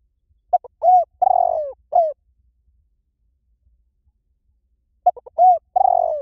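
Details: Spotted dove calls used to lure wild doves: low, rounded cooing notes around a few short clicks, given in a burst, then a long silence before a second matching burst of coos.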